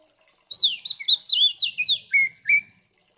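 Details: Oriental magpie-robin in fighting mode, a song to provoke other magpie-robins: one phrase of bright whistled notes sliding downward, finishing with two lower clear notes.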